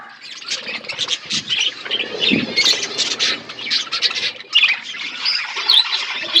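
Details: Several budgerigars at food in an outdoor aviary, loud scratchy chirps and squawky chatter overlapping throughout, with high squeaks and occasional wing flutters.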